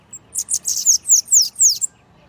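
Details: Bananaquit song of the Costa Branca style: a high, thin run of about eight rapid descending buzzy notes, each sweeping downward, delivered in under two seconds over a quiet background.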